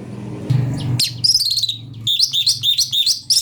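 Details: Cucak cungkok singing, a master recording for training magpie-robins: a run of high, rapid chirps and twittered notes after a low rumbling start, with a faint engine hum underneath.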